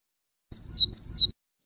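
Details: European goldfinch giving two high-then-low whistled note pairs in quick succession, with a soft low rumble beneath.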